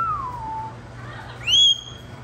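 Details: Pet Moluccan cockatoo, a household parrot, gives a clear whistle that slides downward, then after a short pause a louder, higher whistle that rises and holds steady; a low electrical hum runs underneath.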